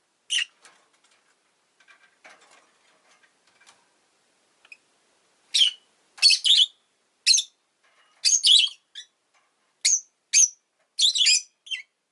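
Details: Rosy-faced lovebird kept as a pet, giving sharp, harsh broadband chirps in irregular bursts, mostly in the second half, with a few faint clicks and quiet gaps between calls.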